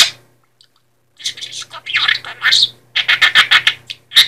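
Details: Pet male budgerigar from Poland, entered in a talking-bird championship, makes quick, wet smacking mimicked kiss sounds amid scratchy, chattering mimicked Polish speech.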